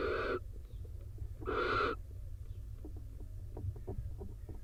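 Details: Barn owl pair in an Israeli nest box during rain, the wet male beside the female on eggs. Two harsh hissing bursts about a second apart, followed by a scatter of soft clicks and knocks over low rumble.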